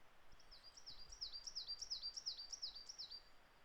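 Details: In Japan in April, a coal tit sings a fast, high, two-note phrase, repeated about seven times in under three seconds, over a faint low rumble.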